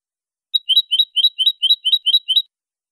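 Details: European goldfinch giving a clean-style song: a bright, high chirped two-note phrase repeated about eight times in quick, even succession over two seconds, with no other sounds.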